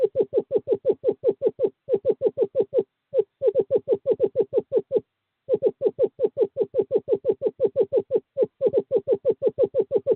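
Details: In courting season, a male screech owl calls a female toward nest box 5, 2/11/2023: a long, fast run of evenly pitched hollow notes, about three per second, broken by two short pauses; quiet background.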